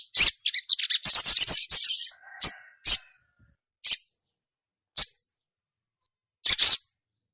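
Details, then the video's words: Female ruby-cheeked sunbird calling for the male, giving a jumbled run of high twittering chirps followed by single sharp chips spaced roughly one second apart. "SUARA SOGOK ONTONG BETINA GACOR MEMANGGIL JANTAN"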